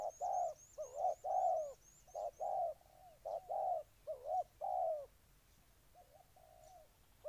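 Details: Low hollow coos of a spotted dove, Ninh Thuận, Vietnam, paired short-and-long notes repeated about once a second, then a quieter trailing coo, with a series of high, rhythmic chirps from another bird early on.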